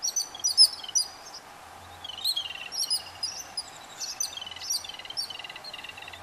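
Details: Yellow-billed babblers feeding their chicks: a dense, busy stream of high, thin chirps and squeaky notes from several overlapping birds, with short loud bursts near the start and a faint low hum underneath.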